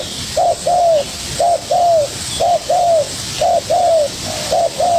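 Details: Spotted dove, a young newly caught bird, calling hard against a decoy: clean, regular two-part coos, a brief note then a longer downslurred one, five pairs in steady rhythm on a quiet background.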